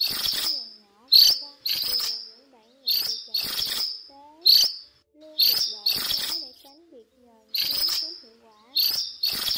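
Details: Flock-calling cuckooshrike giving harsh, scratchy screeches in pairs and triplets. Each burst has a sharp onset and then fades. Quieter, sliding tonal notes from other birds fill the gaps.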